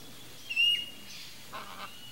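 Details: A young red-and-green (green-winged) macaw, Ara chloropterus, ready to leave the nest in Brazil, gives one short, harsh squawk, followed about a second later by two fainter rasping notes.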